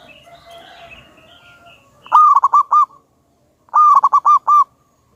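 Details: Wild local zebra dove, a loud and very active singer used as a lure recording: two bursts of rapid staccato coos, five or six notes each, about 1.5 seconds apart, with faint higher bird chatter before them and silence in between.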